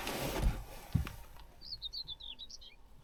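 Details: Common Whitethroat in summer farmland around 5:30 am gives a brief, scratchy, hurried warble of high chattering notes lasting just over a second, following low thumps and wind rumble.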